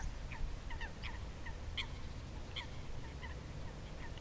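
Common pochards calling from a flock: short, nasal, slightly rising notes, several birds overlapping every half second or so, over a steady low rumble of wind or water.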